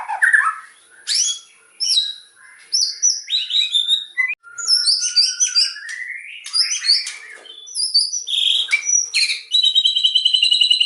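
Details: White-rumped shama singing hard and fast, a stimulating song: varied whistles, upward-sweeping slurs, clicks and high chips, finishing with a steady buzzy trill.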